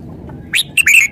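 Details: Red-whiskered bulbul producing a brief, cheerful phrase: a rising whistle followed by a rapid pair of rich, warbled notes.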